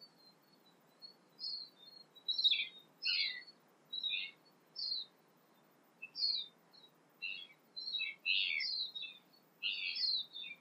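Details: Tūī singing at sunrise in early morning in New Zealand, South Pacific, among various other birdsong: about a dozen short, varied high phrases of swooping, warbled and chirping notes separated by brief pauses, over a quiet background.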